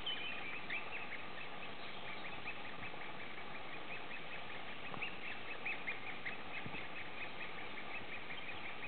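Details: Great spotted woodpecker nestlings begging while being fed inside the nest hole: dense, rapid, high-pitched chattering pulses run almost continuously, over a muffled, rumbling low background.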